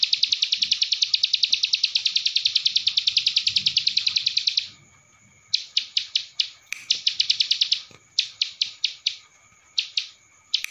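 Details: Masteran recording of a ciblek sawah, Cililin style, for tutoring songbirds: a long dense trill of high ticking notes, silence, then broken clusters of sharp chips and short rattles.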